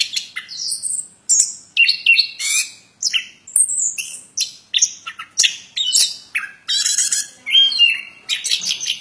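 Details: Plontang bird in vigorous, nonstop song, a long sequence of sharp high chirps, slurred whistles and buzzy notes following each other quickly in a varied, lively stream.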